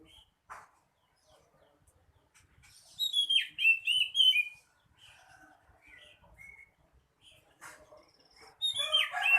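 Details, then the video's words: Oriental magpie-robin (kacer) in full song: a loud phrase of quick, sliding whistled notes rising and falling, scattered softer chips between, and a final bright burst of twisting whistles. "Burung kacer"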